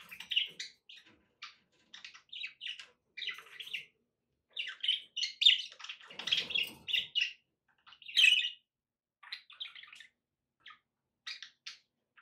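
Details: Pet budgies chattering in short, high, scratchy chirps and warbles, arriving in quick clusters with brief pauses, one louder squawky flurry in the middle; quiet indoor background.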